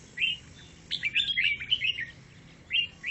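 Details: Grey-cheeked bulbul giving chattering song: a single chirp, then a fast, warbling string of bubbly notes, followed by two separate upslurred chirps.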